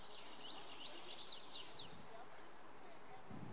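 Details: Tree pipit from the Schomberg, Sundern, Sauerland, Germany, singing in early June 2019: a run of high rising zigzag notes that speeds up and ends in three louder slurred notes, then a few faint thin whistles.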